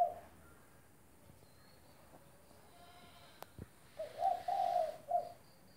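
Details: Spotted dove in full, active song, offered as a training recording for a dove that has stopped calling; after a quiet start, a rhythmic series of mellow, low coos with a longer drawn middle note, followed by silence.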